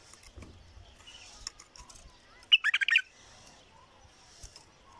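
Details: Bulbul song: one brief, rapid phrase of about five loud chirping notes in the middle of an otherwise quiet outdoor background.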